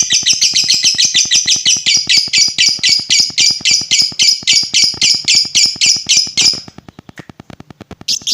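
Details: Lovebird calling to provoke other lovebirds: a fast run of harsh, chattering high notes, about three to four a second for six seconds, then near silence with faint steady ticking and one brief note at the end.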